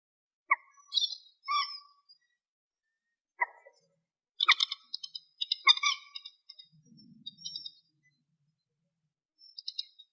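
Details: Eurasian coot calls, a 2018 recording tied to night bird trapping: short, sharp, clipped notes in irregular clusters, a few near the start, one at three and a half seconds, a dense burst from four to eight seconds, a last pair near the end.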